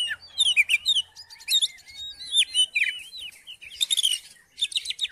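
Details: Oriental magpie-robin song to trigger singing in another magpie-robin: quick clear whistled slurs and chirps, a few buzzy scratchy bursts near the end, lively and varied throughout.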